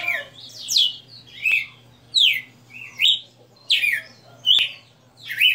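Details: Captive red-cowled cardinal singing a live 60-note song: bright, slurred whistled phrases that sweep down then up, about one phrase every second, over a faint steady low hum.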